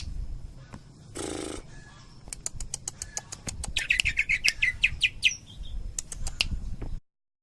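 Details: Greater green leafbird (cucak ijo) giving Cililin tembakan song: a short flurry of wing flutter, then a string of sharp clicks leading into a fast series of ringing, buzzy notes before the sound stops.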